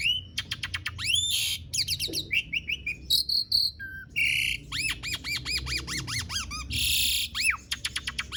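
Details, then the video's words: Lively Asian pied starling song meant to lure non-singing starlings into song; a busy mix of rising and falling whistled sweeps, buzzy bursts and sharp clicks in quick, uneven series. "Jalak Suren Gacor Dor Ngerol Panjang Ampuh Buat Pancingan Jalak Macet Agar Bunyi"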